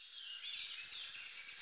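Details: European robin: a soft, wavering high warble that leads into thin, very high, drawn-out whistles, broken by brief gaps near the end.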